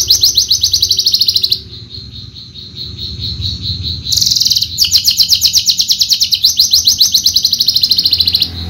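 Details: Javan Horsfield's bushlark, a caged contest songbird, pouring out long rapid high trills of evenly repeated pulses, broken by a brief pause and a buzzy burst, then continuing steadily.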